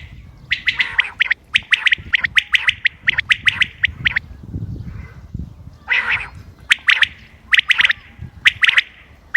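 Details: Common quail calls recorded 28 May 2025 and offered as a hunting lure. Short, sharp clipped notes come in quick clusters of two to four. Softer rasping bursts and low background rumble run underneath.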